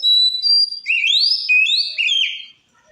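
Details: Song of a white-rumped shama meant to stir up other shamas: long clear whistled notes followed by rising sweeps and stepped slurs, a fluid continuous phrase of about two and a half seconds.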